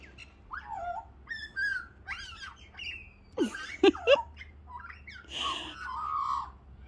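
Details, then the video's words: A young, hand-fed Australian magpie chatters beside a person in a backyard, a run of varied warbling, gurgling notes with a few sharp, louder yelps, over a low hum; it follows and chatters until fed. "hope you can hear my little Magpie is chattering away beside me [Music] okay"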